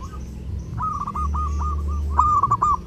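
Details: A zebra dove calls during the Lebaran holiday with a quick run of soft, rolling coos, about ten notes in two seconds, over a low rumbling hum; the recording is meant as tutor song.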